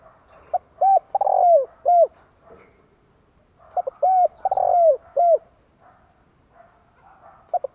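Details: Captive decoy spotted dove repeating its cooing phrase twice, roughly three and a half seconds apart: short hoots, arched coos and a long descending coo each time, with softer hoots trailing at the end.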